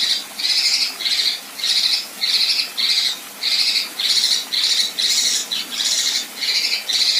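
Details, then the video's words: Repeated harsh buzzy rasps from a female Kinoi, about ten short grating bursts in seven seconds at a fairly even pace, the rough 'besetan' delivery. "Besetan Dan Tembakan Kasar Kinoi Betina"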